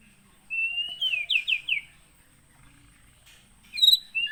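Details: White-rumped shama from Aceh's Gunung Leuser area, caught in Pining in 2017 and kept on a farm. A long whistled note leads into four quick descending slurred notes, then silence, then a bright burst of high, varied chips.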